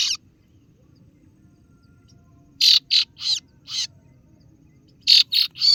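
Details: Kaso-kaso bird, known as singo barong, giving rival-calling lure notes: one harsh burst, a silence of over two seconds, then a loose group of four scratchy chirps and later three more.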